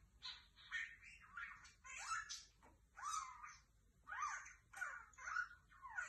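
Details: Lovebird calling: harsh, rasping squeaks and chattering notes in short bursts about once a second, some rising, some falling, in an otherwise quiet setting.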